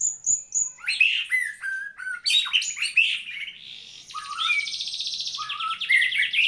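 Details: White-rumped shama, murai batu, in full song: high thin notes, then quick varied whistles and chatters, ending in a long buzzy rattling trill with whistled accents.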